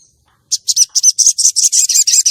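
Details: Calling by a female common iora, used to lure males and arouse contest males: a loud, rapid series of buzzy high notes, about eight per second, running steadily after a brief pause.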